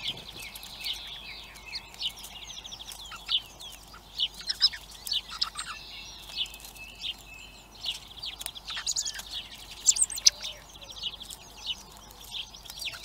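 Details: Begging of hungry young common blackbirds at a bird feeder in Recke, Germany, with a long stretch of dense high-pitched twittering and scattered sharp ticks, steady faint ambient noise beneath.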